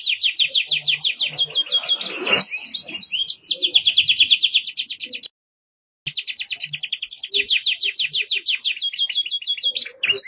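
A canary sings a fast, bright, unbroken run of high rolling trills and chirps, about three notes a second, with one brief silent break.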